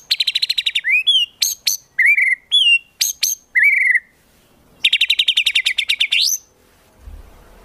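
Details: White-rumped shama tutor song rich in 'tembakan' bursts for competition birds: a rapid chattering trill, a string of loud looping whistles and sharp high strokes, then another long fast pulsed trill rising at its end before silence.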